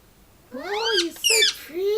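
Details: Pet male Indian ringneck parrot playing with its owner, who keeps asking him to say peekaboo: three loud, squawky calls, each sweeping upward in pitch with a rich, harsh tone, in a quiet indoor setting.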